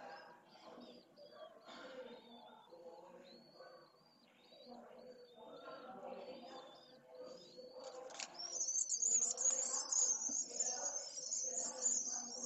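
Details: Pale swift recorded by camera on 16 June 2022: thin tonal chirping squiggles and low murmuring at first, then a dense, high, buzzy screaming band that grows louder and runs continuously through the final seconds.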